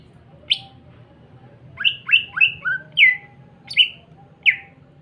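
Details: A greater green leafbird sings bright, sharp, down-slurred whistled notes, some doubled, about eight in five seconds, over a steady low hum and a faint thin tone; the song is used as a lure to stimulate other leafbirds to sing.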